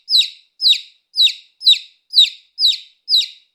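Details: A young chick gives a regular string of shrill, downward-slurred peeps, roughly two per second, with nothing else audible around them.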